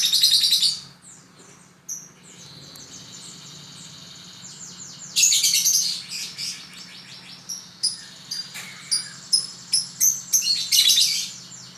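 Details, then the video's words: Lovebird kept as a pet, sings a long high twittering chatter: a buzzy opening burst, a softer stretch, then rapid repeated sharp chirps and another dense chattering burst. "Love bird"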